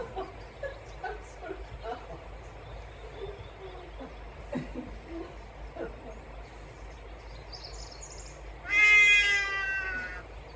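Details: Trumpeter hornbill giving its signature cat-like call in Kruger National Park, Mjejane Private Game Reserve, South Africa, December 2022. A quiet background with faint scattered sounds gives way to one loud, nasal, wailing meow-like note of about one and a half seconds.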